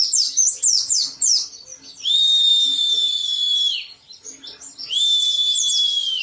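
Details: Agitated oriental white-eye singing with its beak held open: quick, high twittering notes give way to a long, steady, pure whistle lasting nearly two seconds, then more brief chirps and another long level whistle.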